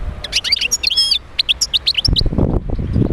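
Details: European goldfinch song played to stimulate other goldfinches to sing: quick twittering run of high chirps, short trills and thin buzzy notes for about two seconds, then low rumbling noise takes over.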